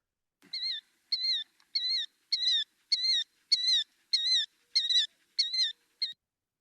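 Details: Killdeer (Charadrius vociferus), an early spring migrant in Kentucky, calling its name-giving 'kill-deer': about nine shrill, high, two-part notes, each with a wavering, slightly falling inflection, a bit faster than one per second against a quiet background.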